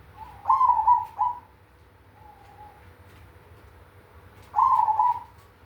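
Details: Zebra dove of the cemani variety in big kung song: two strong trilled coos close together, a faint soft coo, then another loud rolling coo after a pause, with quiet background.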